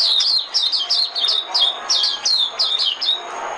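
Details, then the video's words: Lure song of an Oriental white-eye: rapid, evenly spaced high chirps, each slurring downward, in a continuous lively twitter lasting the whole stretch. "Tiếng chim mồi - Tiếng chim khuyên mồi hay nhất 2017"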